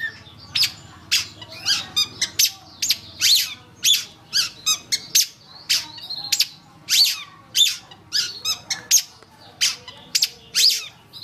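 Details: Training master recording of a Long-tailed shrike: a fast, steady run of varied high chips, squeaks and trills, with a new note roughly every half second, given without a break.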